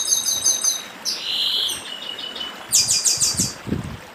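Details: Papa-arroz from Brazil's Northeast sings 'dedim': fast high trills, a sustained buzzy tone, then a loud pulsed burst, with low thumps and running water in the background.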